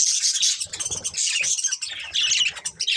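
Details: Breeding pair of budgerigars chattering: a dense, continuous stream of high twittering chirps and squeaky warbles, with a soft low fluttering underneath.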